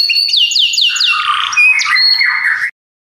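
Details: Belgian canaries deliver a few clear downward-sweeping whistles followed by harsher, squawky, jumbled notes before the song stops abruptly.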